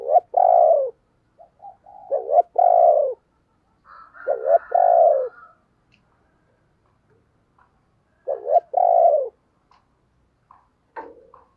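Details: Spotted dove used as a decoy to make other doves coo, repeating its phrase roughly every two seconds: paired soft coos, the second longer and falling, in about five bursts with faint clicks between.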